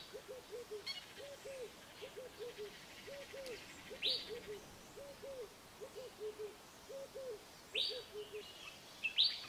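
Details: Crowned hornbill calling with soft, low whistled notes in pairs and short runs, each note arching up and down, repeated steadily about once a second; sharp high chirps and twitters from other small birds break in now and then.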